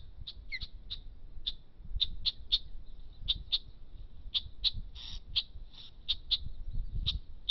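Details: {'caption': 'Osprey calling while defending its nest: a long series of short high chirps at irregular intervals, fairly faint, over steady low wind or rumbling noise.'}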